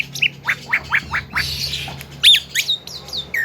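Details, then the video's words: Young Javan myna singing a melodious song full of varied fills: a run of short rising squawky notes, then sharper high chirps and downslurred whistles, with a faint low hum beneath. "BURUNG JALAK KEBO MUDA BERSUARA MERDU FULL ISIAN"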